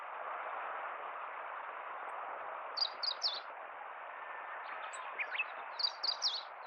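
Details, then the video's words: Meadow bunting song in central Hyogo, Japan, April 2021; short series of high clipped notes arriving twice, moderately faint above a broad steady background hiss. "ホオジロ 本日も一筆啓上 鳴き声"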